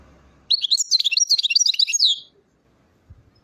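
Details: Song of a European goldfinch recorded at Chouala, Mendes district, Relizane, Algeria: after a soft low rumble, a brisk one-and-a-half-second phrase of high, tinkling, twittered notes, then quiet with a faint thump.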